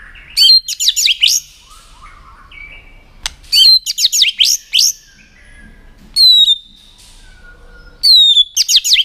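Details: [3, 'Tail-flicking white-rumped shama singing in many voices to excite contest birds: bursts of very high, rapid zigzag whistles repeated in four clusters, separated by soft thin tones and a sharp click.']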